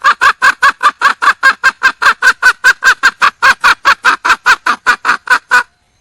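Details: A wild hen junglefowl seeking a mate gives a continuous stream of loud, grating, clucking notes, evenly repeated around two and a half times per second for the whole stretch, ending abruptly.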